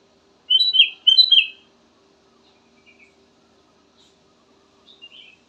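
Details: Black-crested bulbul delivering two loud, fluty whistled phrases in quick succession, then near silence with a few faint high notes near the end and a soft steady hum.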